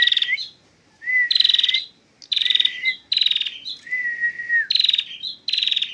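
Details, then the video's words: Female prinia in full 'ngentir' song: repeated bright buzzy trilled phrases are interleaved with steady, drawn-out whistles that curl upward, over a faint background hiss. "perjak betina full ngentir"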